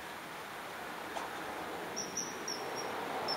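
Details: A common kingfisher, filmed returning after catching a fish, gives a few thin, shrill high whistles in quick succession over a steady rushing background like flowing water.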